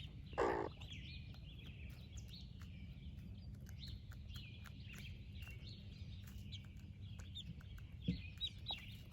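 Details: Baby chicks of a splash laced red Wyandotte broody hen peep continuously in high, short upslurred notes while the hen shares her breakfast with them; one brief louder burst near the start, low steady background rumble.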